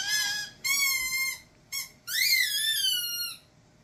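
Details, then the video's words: Indoor pet umbrella cockatoo, male, repeating a sound taught to him instead of his typical screams: four shrill, harmonic squeals of varying length, a short clipped one among them, the last bending upward before leveling off. "Teaching A Cockatoo The Most Annoying Sound In The World"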